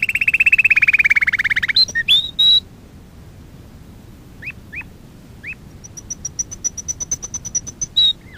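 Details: Canary training song for young canaries: a long rapid trill that drifts lower, a few quick slurs, three separate rising whistled notes, then a rapid series of high thin ticks.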